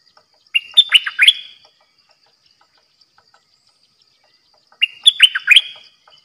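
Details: Caged decoy bulbul used for bird trapping in Thailand. It sings two short phrases about four seconds apart, each a level whistle followed by quick, bubbly, descending notes.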